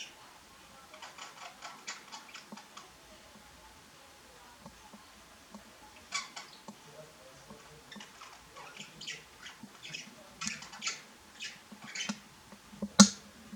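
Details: A common starling guarding its food while eating fat balls gives harsh, rasping, scratchy bursts in quick irregular runs, pausing briefly before louder rattling calls near the end, with budgerigars heard in the background.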